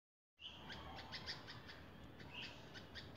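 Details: Red-vented bulbul calling: a rapid series of short, sharp chipping notes, with two brief clear whistled notes standing out, against a steady background hiss.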